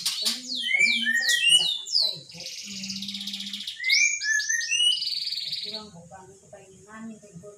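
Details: Magpie-robin imitating the words "Pak Jokowi": rapid cascades of downslurred whistles, a sustained buzzy tone alongside a low steady hum, more slurs, then softer low voice-like syllables fading out.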